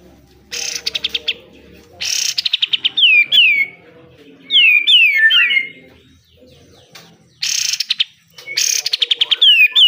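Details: Pied triller (kapas tembak) in besetan style for training caged birds: rapid dry rattling bursts of many clicks, separated by groups of sharp whistled notes dropping in pitch.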